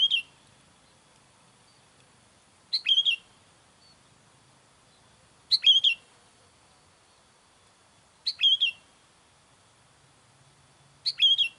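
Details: Sooty-headed bulbul call used to attract wild bulbuls: a short, bright phrase of a sharp high note followed by a slurred, whistled falling flourish, repeated about every 2.8 seconds over a quiet background.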